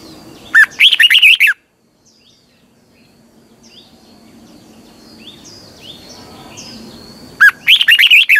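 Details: Red-whiskered bulbul decoy song meant to excite caged birds: a loud phrase opens with a rising whistle, then runs into quick bubbly warbled notes. A long quiet stretch of faint chirps and a high steady whine follows before the phrase repeats.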